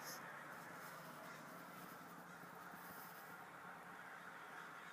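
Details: Many crows swarming down onto a local mall, filling the air with raucous, overlapping cawing that runs without pause, blended into a constant broad hiss of background noise.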